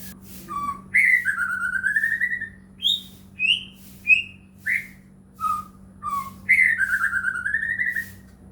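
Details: White-rumped shama song used as a lure so other shamas answer: a long undulating whistled trill, then single clear whistles at varied pitches about every half second, and another long trill, with a steady hum.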